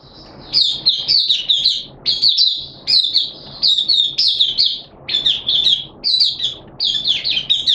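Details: Malaysian Oriental white-eye in 'buka sing' song display, 25 February 2023: about twenty short bursts a minute of fast, high, jumbled chirping notes, each phrase a cluster of downslurred tweets, with low hum in the background.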